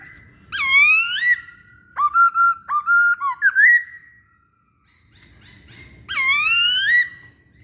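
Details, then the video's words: Masked laughingthrush in active song, used as a lure for birds: a loud, swooping whistle, then a rapid series of short clipped whistled notes, a pause, and another bold, upswept whistle. "Burung Poksay Hongkong Gacor"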